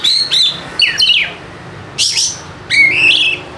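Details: White-rumped shama song used as a lure to get quiet, reluctant kept birds singing; short bright whistled phrases, some sliding down, others rising, in four bursts separated by brief pauses.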